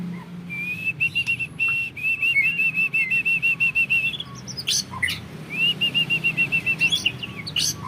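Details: Captive-bred white-rumped shama from an Indonesian champion bloodline singing long volleys: a fast series of clear repeated whistled notes at a steady pitch, a short pause, then sharp bursts and another rapid run of repeated notes.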